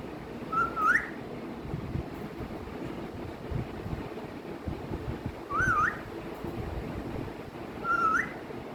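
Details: Three brief whistled calls from a pet parrot, known as mithu, each a wavering note turning sharply upward, spaced several seconds apart amid heavy wind-like rumble.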